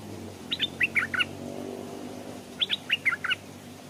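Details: Stripe-throated bulbul kept as a decoy by a stream, wild birds hesitating to land; two matching bright, bouncing phrases of several quick chirps, separated by a short pause with faint low rumble.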